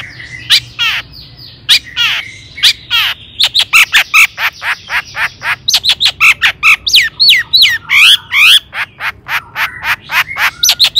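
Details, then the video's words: Lure song of a long-tailed shrike, meant to excite other shrikes and make them answer. A long, dense run of rapid, varied chattering notes, mixing scratchy bursts with quick whistled upsweeps and downsweeps, nearly three per second. "cendet gacor AMPUH TOET TOET PANCINGAN CENDET AGAR BUNYI"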